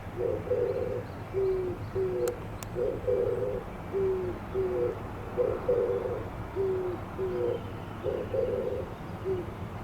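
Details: Oriental turtle dove singing, its breast puffing out as it calls. Low, soft hooting phrases repeat steadily, each a short cluster of coos followed by a pause, over a constant background hum.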